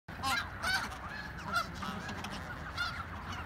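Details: Snow geese in Richmond, British Columbia, giving nasal, yelping honks at irregular intervals, several overlapping, over a steady low rumble of background noise.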